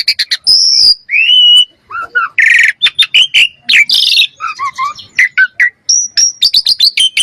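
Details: Common myna giving a varied, busy string of calls: clear whistled notes near the top, sliding whistles, harsh squawks and short chattering notes, tumbling in quick succession with brief gaps throughout.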